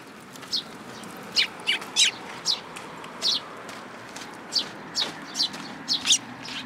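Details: Begging young sparrow visiting a plum tree for food at a Tenmangu shrine in June 2022, giving about a dozen sharp, high chirps, some closely paired, at irregular intervals against a quiet hiss.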